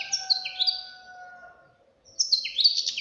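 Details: Young European goldfinch bursting into rapid, tinkling twitters, while a long, steady, lower tone runs beneath the first phrase; after a silent gap, another fast chattering phrase follows.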